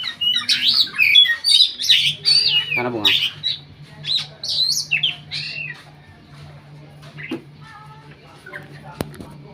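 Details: Contest Oriental magpie-robin from Riau, Indonesia, undefeated in provincial auditions, giving a quick burst of scratchy chatter and sharp whistles for five seconds before falling quiet beneath a steady low hum.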